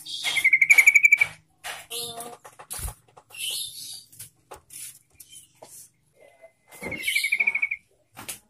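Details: Lure recording of a yellow-vented bulbul meant to prompt other bulbuls to sing, opening with a rapid bright trill, then a jumble of short chirps and clicks, and a second quick trill near the end.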